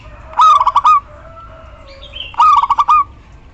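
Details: Local female zebra dove calling for a male, used to coax quiet doves into sound. Two rattling coo phrases two seconds apart, fast stuttered beats then a sustained tail; a faint higher bird note between.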